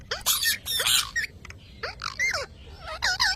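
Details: Pet parrot talking: bursts of speech-like squawks and harsh phrases, followed by short, looping whistled and chattering notes that rise and fall. The calls are loud and close, with little background sound.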